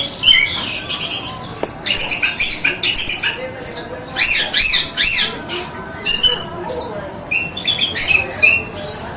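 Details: Orange-headed thrush in a masteran recording: harsh, scratchy notes and sharp chips run together in a quick, uneven series, interspersed with thin high whistles.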